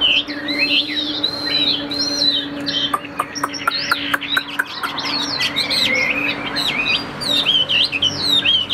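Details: Tam Hoàng Chinese hwamei, a calm caged singer with an even delivery, weaving looping whistled phrases interrupted by a burst of dry clicking taps, then resuming fast, wavering song over a low hum.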